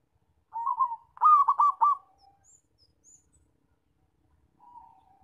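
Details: Zebra dove with a loud luring call used in trapping: a short coo, then a rolling run of four quick bubbly notes, followed later by one soft trailing coo.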